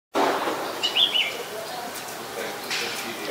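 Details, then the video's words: Malaysian pied fantail, a very common resident, recorded in Ubon Ratchathani, Thailand, on 25 November 2019: a quick cluster of short, bright, high whistled notes midway through, over a noisy, rustling background. "นกอีแพรดแถบอกดำ (Malaysian Pied Fantail)"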